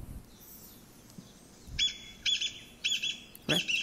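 A Chinese Bamboo Partridge gives loud, ringing phrases that repeat about every half second, rendered as 'chotto koi'. Faint low thumps come before the song.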